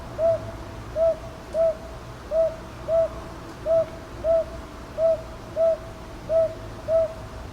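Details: Northern boobook recorded in Ichijoji, Sakyo Ward, Kyoto, on 22 May 2023 with a TASCAM DR-100MKIII: eleven soft mid-pitched hoots in paired rhythm, hoo-hoo, hoo-hoo, steady against a quiet background.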